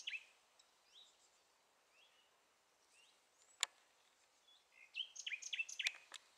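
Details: Common nightingale singing in a residential neighbourhood, its song carrying across the whole area though the bird is hard to see: soft rising whistles about a second apart, then a sudden loud burst of rapid, rich chattering notes, with faint background hiss.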